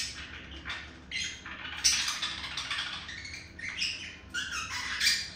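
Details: A male budgerigar tries to win over a female by chirping and tapping his beak. Soft, noisy chatter of rasping chirps and short squeaks, uneven in loudness over a hissy background.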